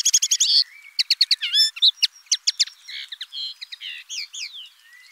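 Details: A common linnet sings a quick trill of repeated notes, followed by a varied twitter of chirps, buzzes and downslurred whistles.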